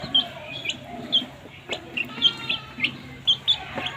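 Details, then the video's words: Baby chicks chirping while they eat, a scatter of short high peeps repeated irregularly, with faint clicks and tapping in the background. "Cute baby chicks chirping sounds"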